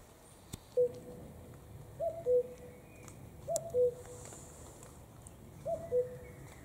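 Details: Common cuckoo calling steadily: four loud, clear cu-coo phrases, each a short higher note falling to a longer lower one, repeated roughly every one and a half seconds over quiet background noise.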